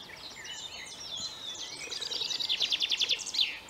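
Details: Common chaffinch singing from a flowery perch: high scattered chirps build into a loud, rapid trill of repeated notes lasting about a second near the end, with other faint bird calls and steady background noise.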